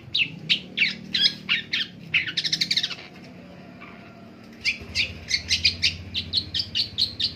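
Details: Morning calling of a Long-tailed shrike: rapid harsh, scratchy notes repeated about three per second, a short buzzy rattle, a pause, then another brisk run of grating notes.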